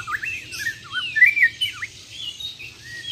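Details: Bornean white-rumped shama from Muara Wahau, a champion contest bird, delivering rich looping whistles that swoop up and down, with a bright phrase in the middle and a soft background hum.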